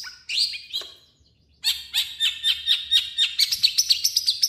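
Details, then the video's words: Long-tailed shrike song with imitated calls: a few scratchy notes, a brief silence, then a quickening string of bright chirps near four per second. "MASTERAN BURUNG CENDET"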